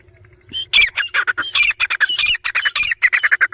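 Grey francolin chicks squabbling: a rapid, continuous jumble of harsh, squeaky squawks and chirps, about five notes a second. No other sounds stand out.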